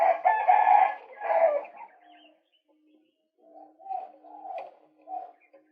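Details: Male white-breasted waterhen lure recording with two loud, harsh, nasal squawks followed by a softer, lower series of wavering croaking notes.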